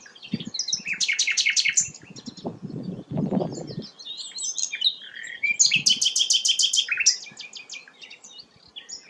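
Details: Rare sikatan londo singing loud rattled bursts of rapid chips and whistled warbles, over thumping low handling noises in the first half.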